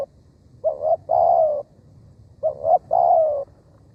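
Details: Spotted dove used to lure wild doves, giving two mellow coo phrases: a quick double note, then a drawn-out falling coo, separated by about a second and a half of quiet.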